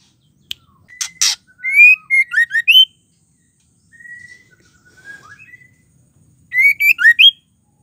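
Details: Female white-rumped shama whose voice is used to make males sing: a pair of harsh ticks, a string of ringing slurred whistles, a quiet lower warble after a pause, then a second loud burst of whistled notes.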